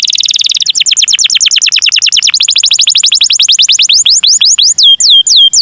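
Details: Canary singing in the luxurious cengkok mewah style, used as a lure to set other canaries singing: loud, rapid rolls of repeated downward-swept notes that slow into longer, spaced, whistled slurs.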